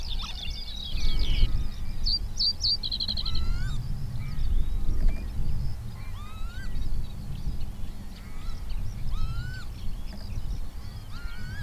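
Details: Male Common Reed Bunting singing its short territorial song at Higham Marshes in Kent, Southeast England, in wetland reed beds; a brief run of high chirping notes and a quick repeated trill early on, then scattered calls from other birds over low wind rumble.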